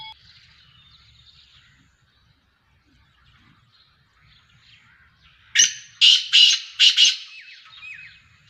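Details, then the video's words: Speeder kala teetar, a black francolin of Sheedi cross Nasal strain: after faint background chirping, four loud harsh grating notes burst out in about two seconds, followed by softer scratchy trailing notes. "Speeder Kala Teetar Sheedi cross Nasal Black Franclion Voice"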